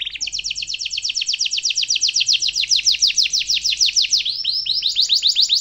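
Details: Long rolling canary song offered as a master for young canaries to imitate: a sustained rapid trill of repeated down-slurred notes, about three per second-fraction, ending in looser curved whistles.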